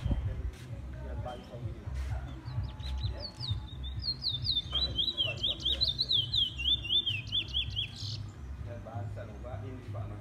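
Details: Male Trinidad bullfinch in first black plumage, caged, sings a long sequence of rapid sawtooth whistles, each note sliding up and down, repeated steadily for about four seconds, with soft clicks and a low hum behind.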